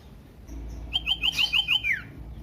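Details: Trilled common iora phrase, loud and used to provoke rival ioras into song: six or seven evenly spaced, upslurred whistles in about a second, ending on a descending drawn-out note.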